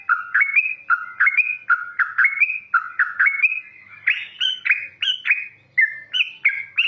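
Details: Loud wild yellow-vented bulbul song: quick chuckling phrases of two or three rising whistled notes, repeated about every half second, later turning to higher, brighter notes.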